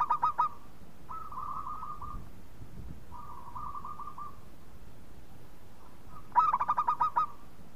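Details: Local Indonesian zebra dove lure song meant to start other doves singing: a rapid bubbling string of coos at the start and again at the end, with two fainter, longer purring coo phrases from more distant doves between.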